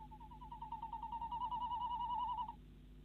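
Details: Female tawny owl inside a nest box in the Netherlands at 10:23 pm on 25 February 2016, calling as the male arrives with a mouse; a fast run of nasal notes that swells and speeds into a tremolo and lasts about two and a half seconds.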